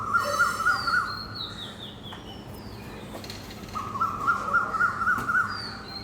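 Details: Two runs of quick, ringing repeated notes from an Asian koel in a park tree in the morning, while another bird gives a high, thin descending whistle in the background.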